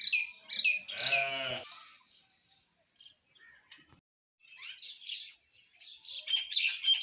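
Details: Myna song on an Indian morning: a harsh harmonic squawk with a dense buzzy stack, then a quiet gap, then bursts of high chattering, squeaky notes.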